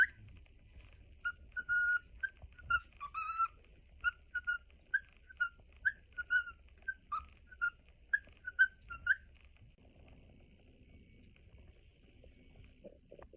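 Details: A pet cockatiel, greeting its owner's return home, whistles the Mickey Mouse March in clear, bouncing notes, phrase after phrase for several seconds.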